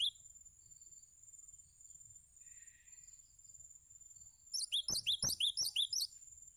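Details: Cinereous tit song used as a tutoring recording for other birds: after quiet, a quick burst of about eight high, bright two-part notes, each sliding up then down, over roughly one and a half seconds, with a steady thin whine behind.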